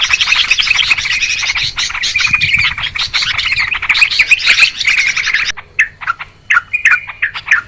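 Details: Sooty-headed Bulbuls chattering in a noisy group, recorded as a lure for trapping birds: dense rapid chirping that breaks off into a few separate bubbly phrases near the end.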